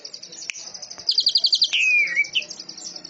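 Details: Greater green leafbird singing in a canary-like manner, a rapid high rattling trill, a loud burst of repeated notes, then a descending slurred whistle.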